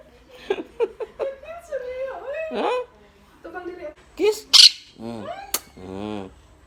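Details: Blue Quaker parrot kept as a pet, talking to its friends indoors: a run of warbling, speech-like phrases with wavering tones, then a sharp high squawk and two buzzy harmonic calls near the end.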